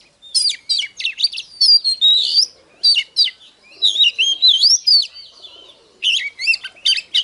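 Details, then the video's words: Oriental magpie-robin in hót déo song, used to stir other birds to fight: a long rich stream of varied whistles, chattering notes and sliding warbles, with one short pause before a final burst. "Chòe than HÓT - DÉO Kích bổi Ức chế || Kich chòe than VỀ ĐÁ"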